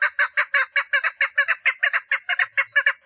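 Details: Loud, steady chukar partridge mating call from a female: harsh, nasal clucking chuk notes repeated rhythmically, some doubled, about two to three per second throughout.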